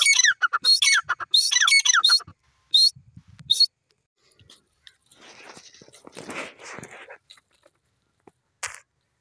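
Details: Grey francolin (teetar) gives a burst of loud, harsh repeated squawking notes for about two seconds, then two isolated notes, followed by faint rustling and low background noise, with a last short note near the end.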